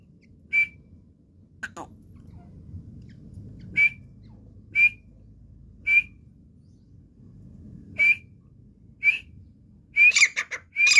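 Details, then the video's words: A partridge calls with short, sharp, high whistled notes about once a second, ending in a louder, quicker burst of shrill notes over a faint low rumble. "teetar calling sound / तितर की आवाज. partridge voice"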